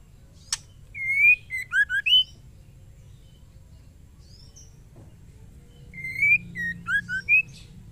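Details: A female white-rumped shama calls a male with a chattering phrase, given twice about five seconds apart. Each phrase has a rising whistle and then several brief swooping notes. A faint tick comes before the first phrase.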